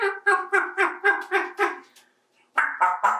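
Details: Adopted 28-year-old male African Grey parrot playing and talking to toys in a bathtub indoors: a fast run of about ten harsh, evenly spaced syllables, a short pause, then more throaty chatter.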